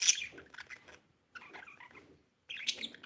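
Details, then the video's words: Pet budgie chirping: soft, high, rapid twittering chatter in three short bursts separated by brief pauses, with scratchy clicks mixed in. "budgie chirping sound"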